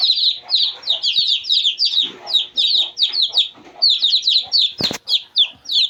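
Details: Steady chorus of two-day-old Shamo chicks: high, falling chirps repeated rapidly throughout, with one sharp broadband knock near the end.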